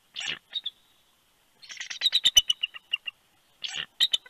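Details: Very vocal male bald eagle at a Big Bear, California nest, January 2020, calling toward his mate at shift change: a shrill yelp, then a fast run of piercing staccato chitters, then more yelps.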